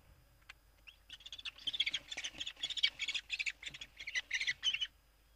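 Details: Northern goshawk pair at a nest in a water tower, mating on the nest edge, 5 February 2018; a quick series of harsh, loud squawking notes, about three per second, irregular and rising and falling in strength.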